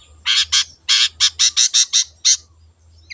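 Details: Long-tailed shrike from the wild, singing energetically: about nine loud, grating, squawk-like notes in quick, uneven succession over roughly two seconds, with a low steady hum underneath.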